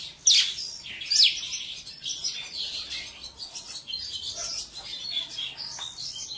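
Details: Mongolian lark, praised as one of the four famous songbirds, singing a dense, continuous run of high chirps and trills with rapid varied phrases and a few sharper notes, over faint background hiss.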